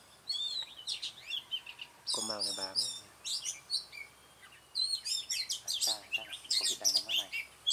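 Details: Red-whiskered Bulbul recorded at a trapping site on 20 June 2018, giving dense bursts of high whistled and chirping notes in quick succession, broken near the second mark by a lower, rasping, layered sound.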